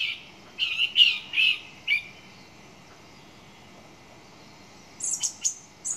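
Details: Song thrush gives a few loud chirping notes, falls silent, then closes with a burst of very high, thin notes.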